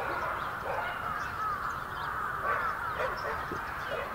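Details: Winter gathering of many bramblings, Yoyogi Park, February 2019: dense overlapping chatter fills the whole stretch, with occasional brief, more distinct notes over the steady murmur.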